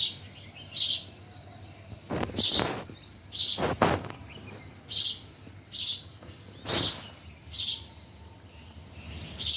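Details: Chirping birds recorded at Bhimtal. Sharp, high, hissing chirps repeat roughly once a second, about nine in all, with a couple of dull knocks early on over a quiet background.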